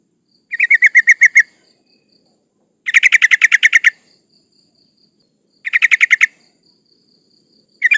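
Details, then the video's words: A breeding-condition female yellow-vented bulbul calls to males and is used as a lure for rivals. She gives chattery bursts of around eight to ten rapid, harsh notes, repeated roughly every two and a half seconds. "Suara burung trucuk gacor Memanggil lawan lawan pancingan"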